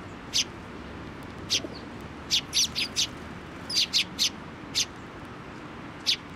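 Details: Sparrows flying in at a Tenmangu shrine on 25 April 2024 to take food from a post; short, sharp, high chirps in scattered single notes and quick pairs, about a dozen over several seconds, against quiet outdoor background.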